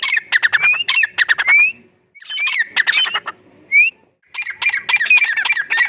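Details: A wild jungle francolin (teetar) in Rahim Yar Khan, Punjab, Pakistan, calls in loud, harsh, squawking bursts with short rising whistled notes, in three or four rapid phrases separated by brief pauses.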